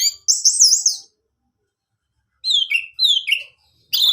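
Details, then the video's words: Orange-headed thrush song, played to prompt kept male thrushes into singing: a high whistled phrase of looping slurred notes near one second long, a pause, then descending buzzy whistled notes and a fresh burst at the end. "putar Anis merah ini, Anis jantanmu pasti bunyi"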